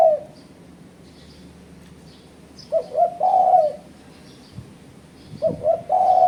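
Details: Spotted dove, played as a lure to provoke rival doves, giving low cooing phrases of two or three short notes ending in a longer held coo, phrases a few seconds apart, with faint small-bird chirps behind.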